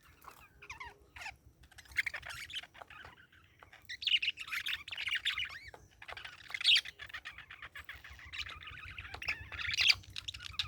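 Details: Parakeet chirping in a steady, busy stream of high warbled twitters and short squeaky notes, swelling louder around the middle and again near the end, with a faint low hum underneath.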